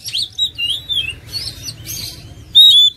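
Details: Oriental magpie-robin giving a few wavering whistles and raspy, scratchy notes, closing with a strong, sustained pure whistle.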